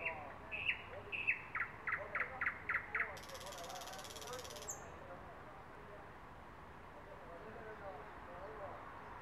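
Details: A thrush nightingale singing on a branch gives a fast run of about eight loud, knocking notes, then a dry, buzzing rattle and a thin high whistle, with faint birdsong behind.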